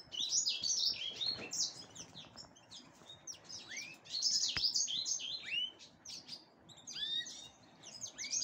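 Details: Singing Black-headed canary preparing for breeding: high, rapid twittering phrases mixed with rising and falling slurred notes, delivered in clusters with brief gaps, against soft background noise.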